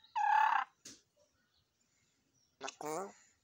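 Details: Pet hill myna that speaks many kinds of words: a loud, clear whistled tone with strong overtones, a brief gap of silence, then a burst of speech-like syllables.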